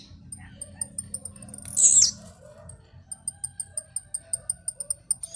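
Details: One loud, buzzy, falling note from a blue-black grassquit singing while jumping, followed by a steady run of high ticking clicks, about three per second, over soft background whistles.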